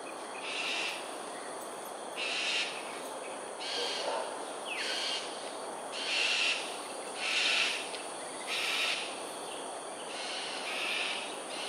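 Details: Cockatoos in display flight at Sungei Ulu Pandan, Singapore, 7.43am on 13 January 2022. About eight rough, screeching calls, each around half a second, repeat at irregular one- to two-second gaps over steady hiss.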